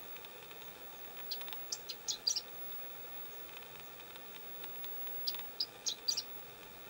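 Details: Chestnut-eared bunting singing on Kuju Plateau on 27 May 2017, captured with a Canon EOS Kiss X3: two short, high, twittering phrases of quick chips several seconds apart, set against a steady hiss of background noise.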